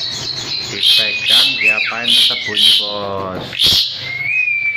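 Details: Asian pied starling held in the hand and singing vigorously: sliding clear whistles mixed with harsh, scratchy bursts and raspy chatter in quick succession, with no other sounds.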